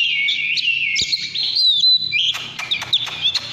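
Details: Oriental magpie-robin singing in the căn lửa style: sweet whistled phrases, steady and sliding, then a burst of sharp rising notes with quick click-like chips near the end.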